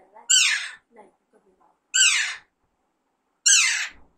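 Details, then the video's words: Household pet Alexandrine parakeet letting out three loud, rasping squawks that slide downward, spaced about one and a half seconds apart, otherwise quiet. "Alexander parrot natural sound"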